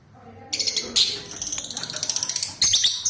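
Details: Colony of lutino lovebirds: shrill, high chirps start abruptly and run in a quick, uneven stream of short squeaky notes, with a louder burst of overlapping chatter near the end.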